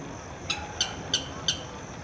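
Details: A Blackish Rail gives an alarm call of four sharp, clicking notes, evenly spaced about a third of a second apart, over a faint, steady, high insect hum, in a marsh in an urban park in Santo André, Brazil.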